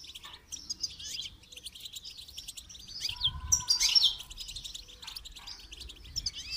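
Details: Goldfinch song used for song training: quick, jangling twitters and buzzy high trills, with a steady lower whistled tone in the middle and some soft low thumps.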